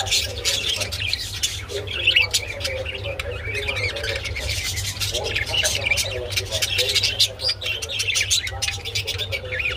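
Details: Budgerigars mating, giving dense rapid chirping and squawky warbling chatter throughout, with steady low hum underneath.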